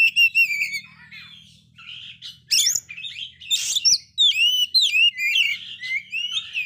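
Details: Oriental magpie-robin in failed moult, described as singing very actively; clear whistled phrases with rapid downslurred and upslurred notes, interspersed harsh rasping bursts, a lively varied run of repeated sweeping whistles toward the end, faint low background hum.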